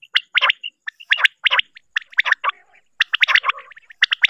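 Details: At night a female rain quail gives rough, gravelly clustered notes in quick irregular bursts, some rattling and some clipped, with brief gaps between groups and no other sounds.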